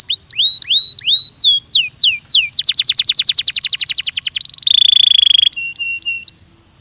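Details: Belgian canary training song: a few drawn-out upslurred whistles, then a rapid rattling trill, a sustained buzzy tone and a final pair of flat whistles.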